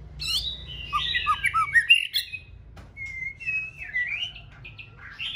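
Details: Breeding-season song of a moulted female white-rumped shama, sung to stimulate a male. It begins with a busy jumble of whistles and short downslurred notes, then softer drawn-out wavering whistles.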